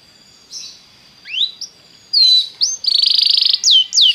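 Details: Belgian canary song meant to warm up a canary: slurred rising notes open it, then sweeping whistles lead into a fast, rolling high trill and a few final swooping whistles.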